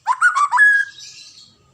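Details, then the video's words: A white-rumped shama gives a quick run of four rich, rising whistled notes ending in a long steady whistle that fades into a soft buzzy trill. "KICAUAN MURAI BATU INI"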